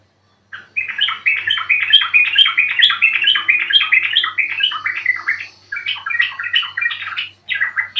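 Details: Continuous lively chatter of a yellow-vented bulbul, played to draw birds into song; dense stream of warbled, gurgling notes rising and falling, broken by two short gaps.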